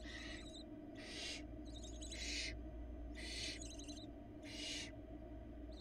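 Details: Barn owl young, four hungry nestlings in Florida, beg as the adult female arrives with prey; loud hissing screech bursts roughly every second, interleaved with quicker ticking, chittering notes.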